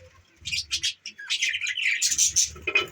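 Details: Budgerigars keep up a busy run of chirps, twittering warbles and raspy squeaks with hardly a break, plus some low rumbling sounds beneath the calls.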